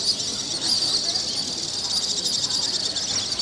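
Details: Thousands of swallows flying and diving over Corfu around sunset, a dense, continuous wash of high, thin chirps and twitters from many birds overlapping with no pauses, steady in loudness throughout.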